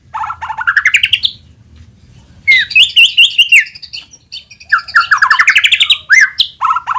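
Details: White-rumped shama singing a lure song meant to provoke other shamas into full song: loud rising whistled runs of rapid notes, bursts of ringing phrases separated by short pauses, with a low background hum.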